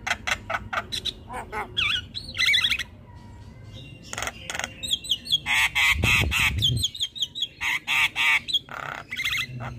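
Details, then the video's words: Javan myna pouring out varied chatter. Dry clicks and warbling whistles are broken by a short pause. A long, harsh, nasal rasping passage follows, then rapid repeated twangy notes. "Jalak kebo gacor Ngoceh tak Henti Henti"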